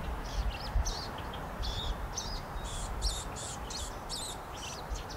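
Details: Western wood pewee fledgling sitting and begging as a parent brings food, Chama, New Mexico, August 15, 2016; rapid series of short high chips and buzzy notes, about a dozen in quick succession, over steady low rumbling background noise.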